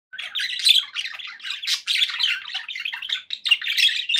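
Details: Pet budgerigars in continuous warbling chatter: dense, scratchy chirps and squeaky notes crowding together with barely a pause, bright and high-pitched throughout.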